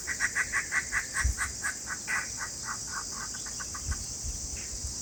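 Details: Alarm calling from a father bulbul warning of a predator near its chicks: a rapid series of short, harsh notes repeated about five times a second, then slowing and fading, with a low hiss and some thumps.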